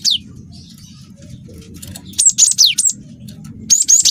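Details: Cinereous tit (glatik watu) with canary song phrases: a quiet stretch over low rumble, then a quick run of four high, steeply falling whistles followed by a short shrill burst.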